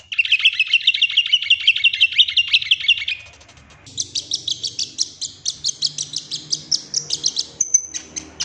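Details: Golden-fronted leafbird singing as a lure to set leafbirds singing their full repertoire: a dense buzzy chattering trill for three seconds, a short pause, then a steady series of high, sharp chips and twitters.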